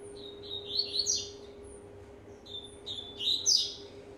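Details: Rusty-collared seedeater, age one and a half, warming up: rising whistled phrases building to a bright trill, brief pause, then another whistled run ending high, faint mechanical hum throughout.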